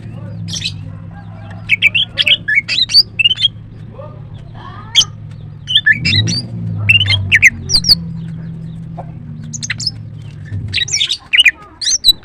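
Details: A female greater green leafbird gives bursts of sharp, high chirps and squeaky notes in short irregular phrases, over a steady low hum.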